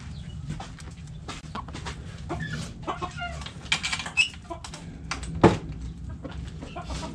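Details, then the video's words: Backyard coop hens clucking: irregular short clucks and bursts from several birds, one sharper loud call near the end, over constant low background hum. "Backyard Chickens Coop Video Sounds Noises Long HD Hens Clucking Roosters Crowing!"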